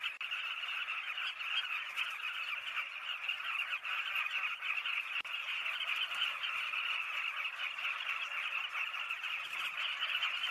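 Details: Many Southern carmine bee-eaters chattering at once, a long, even roar of rapid overlapping calls running unbroken from start to finish.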